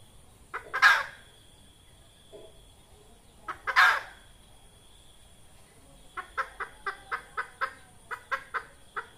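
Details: Red junglefowl hen, a sound used to draw birds into traps: two loud, harsh squawks several seconds apart, then a steady series of about a dozen short clucks roughly every quarter second.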